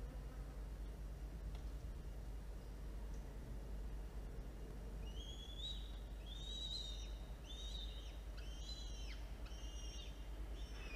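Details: Two falcon chicks at the nest during a feeding in October 2022. Several quiet seconds of low hum, then a run of high, thin whistles with downward-hooked ends, grows more frequent toward the end.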